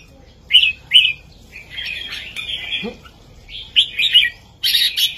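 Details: Bulbul master song in the southern Thai style, for young birds to learn: two crisp whistled notes, a softer warble, then lively bubbling phrases and a final bright burst.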